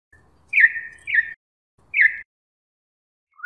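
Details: Campo troupial, popular in Brazil, singing the style called canto mateiro: three loud whistled phrases, each a sharp upslurred note falling into a sustained buzzy tone, with pauses between and a short rising note at the end.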